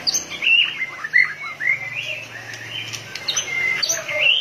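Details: White-rumped shama, fired up and pumping its tail like a machine, sings spaced clear whistles and slurred notes, some upslurred, separated by short pauses over a faint low hum.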